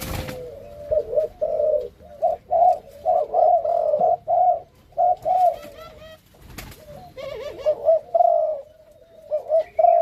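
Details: Captive Malaysian-line spotted doves, a male paired with a female for breeding, cooing steadily: rolling, throaty coo phrases repeated back to back for ten seconds, with faint higher chirps from other small birds nearby.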